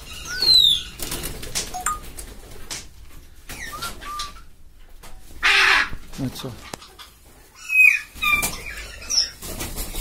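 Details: Hyacinth macaw uttering short, raucous, crow-like squawks spaced irregularly over ten seconds, one loud burst in the middle, with scattered chirps, clicks and some human speech in the background.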